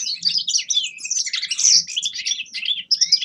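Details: Grey-crowned goldfinch singing energetic, jumbled twitters and trills, with a rising whistled note near the end and faint low thumps in the background.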